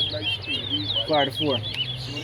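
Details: A chestnut-bellied seed finch (towa towa) sings in a bird-song race at a Guyana bird ground: quick, sweet, warbling whistled phrases, high and continuous, as a man's voice briefly cuts in over a low steady hum.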